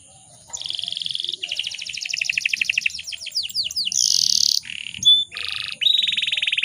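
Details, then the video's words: Breeding-condition female canary, a lure for males: a buzzy trill, then a fast roll of repeated notes, a hissing harsh burst, and several short buzzy rattles at varied pitches, each changing abruptly. "PANCINGAN KENARI BAHAN AGAR CEPAT BUNYI"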